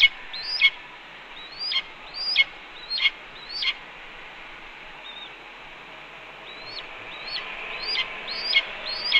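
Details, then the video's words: Female red-tailed hawk at a nest, wild, calling at her mate as he delivers a chipmunk as prey in the evening on 13 May 2013; a series of hoarse, downslurred squealing screams, in two bursts of several calls with a quiet gap between. "Cornell RTH 'Chipmunk Delivery'"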